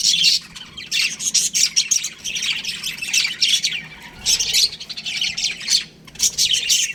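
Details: Young budgerigars in an aviary give rapid, harsh chattering chirps in repeated bursts, many birds calling together with brief gaps between clusters.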